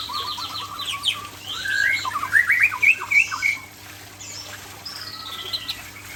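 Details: Aceh white-rumped shama in afternoon song: a dense outburst of chattering, buzzy and whistled notes climbing in pitch, then a quieter thin drawn-out whistle, with a low constant hum behind.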